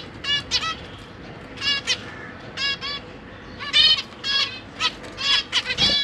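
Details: Zebra finches, parents and young babies together in a cage: nasal, honking calls in pairs and small groups separated by short quiet gaps, becoming more frequent and louder in the latter half.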